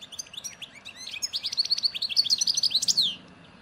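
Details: A wild European goldfinch (Carduelis carduelis) from the Souk-Ahras area, Algeria (Barrage Ain Dalia, Djnane Bouecha, Firmet Djoudi), sings a rapid, tinkling jumble of high twitters and liquid trills, building for about three seconds.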